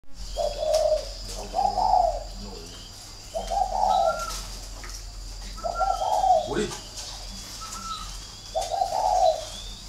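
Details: Spotted dove at a bird farm in Ba Vi, Hanoi, Vietnam, cooing: low hoarse two-part coos repeated about every two seconds, with a steady hum and room noise behind.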